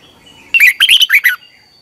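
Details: Red-whiskered bulbul practicing its song in the morning. A single quick phrase of about five bright, slurred whistles, rising then dipping, lasting under a second.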